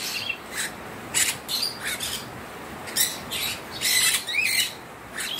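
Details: A free-roaming pet cockatiel, excitedly playing in a sudden rain shower, gives harsh, scratchy chirps in short bursts every half second or so, with a few quick rising whistles, over a faint steady hiss.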